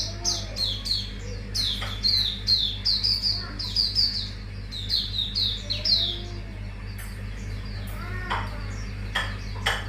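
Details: Lively mangrove whistler unloading its repertoire in a fast run of sharp, bright chirps and downward-slurred whistles, bursting in quick clusters with brief pauses, over a constant low hum and faint clicks.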